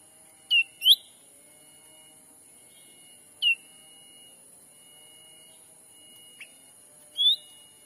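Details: Black-capped bulbul lure call meant to bring wild birds in, Sumatra forest: brief whistled notes that dip then rise, spaced irregularly over eight seconds, with a continuous electronic hum.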